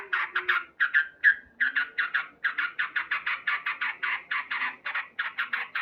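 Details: Loud male sooty-headed bulbul singing in the morning, giving a long, rapid, rhythmic string of raspy cuk notes, about five per second.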